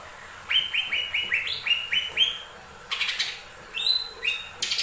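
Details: Lesser green leafbird singing as a lure for other birds: a quick row of rising whistled notes, then harsher noisy chirps, a higher clear whistle and a few closing buzzy notes.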